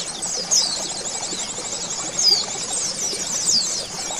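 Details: Oriental white-eye training recording used as therapy to make kept birds sing and open their beaks: dense, high, continuous twittering of rapid thin chirps and short downslurred whistles, with a few louder sweeping notes standing out.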